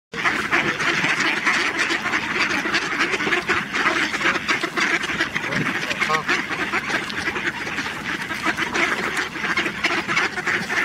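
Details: Mallards at Töölönlahti, Helsinki, on 18 December 2021, quack in short, harsh, repeated bursts amid a steady wash of background noise and faint human voices.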